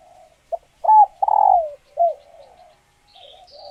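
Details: Captive female spotted dove in laying condition, calling to stimulate males to coo and pair; a faint lead-in, then a loud arched coo, a burred drawn-out note and a short falling coo, with faint high chirps at the end.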